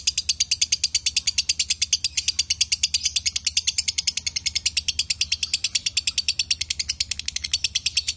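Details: A long, unbroken run of rapid, high, rattling chirps from a male and female lovebird, about seven pulses a second, steady in pitch and volume throughout.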